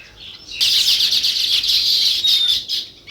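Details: Dense sparrow chatter starting abruptly after a quiet half second, a continuous wall of high overlapping chirps that fades near the close.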